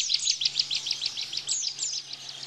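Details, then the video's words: Short excerpt of Bar-winged prinia 'tembakan' song, used to train cage white-eyes: quick bright chirps run together, topped by piercing downslurred whistles, over a soft steady hum. "Tembakan Ciblek Bren Untuk Masteran Pleci"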